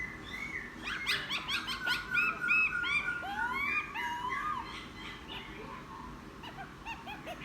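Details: Wild-caught laughingthrush, ten days kept, singing after bathing: rapid rich whistled phrases with sharp upward notes and smooth slurred glides, busy and energetic, fading toward the end.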